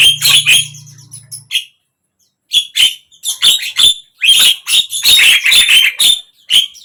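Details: Javan myna singing, meant to stir a mute bird into song: a few grating notes over a low hum, a two-second silence, then dense, rapid, rasping chatter with whistled overtones.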